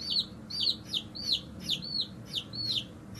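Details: Little hatchling chicks chirping up a storm on a farm: steady high peeps, each a bright note rising then dropping, repeated about every half second with a faint low hum behind.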